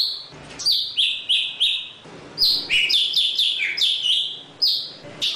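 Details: Java sparrow singing to call the flock, a run of bright chirps and short whistled notes that dip and rise, sharp repeated notes clustered in quick bursts, with faint background rustle.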